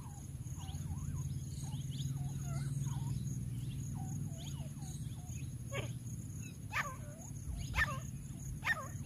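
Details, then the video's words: Tame grey francolin calling in jungle, used as a decoy to call in wild birds: a long run of short hooked, twangy notes repeated rapidly, growing louder and sharper near the end, over steady low rumbling background noise. "Palltu teetar se bulaneka tarika | grey francolin kaming jungale"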